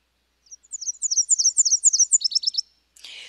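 Nashville Warbler singing a high, two-part song: a run of quick sweet warbled notes, then a faster, slightly lower trill to finish. A brief rustling noise follows.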